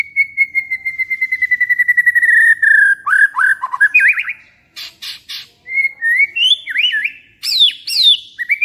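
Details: White-rumped shama song used to provoke other shamas into excitement and singing: a long clear whistle slowly sliding downward over two seconds, then rapid varied warbled and swooping phrases with sharp high notes.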